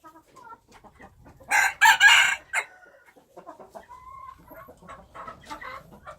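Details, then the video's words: Wild chicken crows loudly in a rough, two-part burst lasting about a second, with quieter clucks and short notes before and after. "Noob qaib qus Qaib dib qua zoo - wild chickens"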